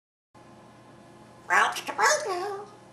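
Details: Pet parrot practicing a newly learned phrase, brown chicken brown cow, while its owner was away: a short burst of squawky, speech-like syllables after a quiet room hum.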